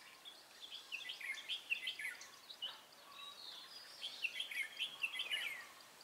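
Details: Red-whiskered bulbul used in trapping, recorded 23 March 2018, delivering a fast "ché" song: two clusters of bright, jumbled chirping notes about two seconds apart, separated by a brief lull, with constant faint background hiss.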